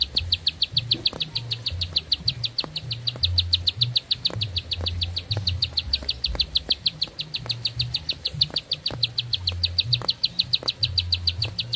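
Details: Long unbroken song from a vigorously singing bar-winged prinia: dozens of quick, high, ticking notes repeated at a steady, rapid rhythm for the whole stretch, over a soft low hum.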